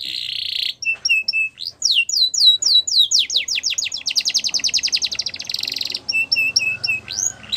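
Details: Yorkshire canary training song for young canaries: a buzzy opening, short piping notes, looping downward whistles, then a long rapid rattling trill and a dry buzz before clear piped notes return.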